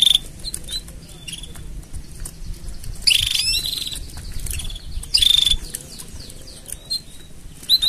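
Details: Canary mating song for training: scattered whistles and chirps around two bright trill bursts, with a soft low rumble in the background.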